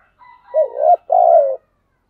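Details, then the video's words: Spotted dove calling in the 'thúc gù' style: a faint short lead-in note, then a wavering low coo and a longer, even, gently dropping coo, mellow and clear in a quiet setting. "tiếng cu gáy/ cu gáy thúc gù"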